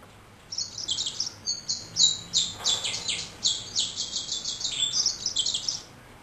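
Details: Caged male yellow-rumped seedeater (Serinus xanthopygius) singing a sustained, high-pitched warbling song of rapid buzzy trills and sweet twittering phrases, running about five seconds with little pause; faint low hum behind.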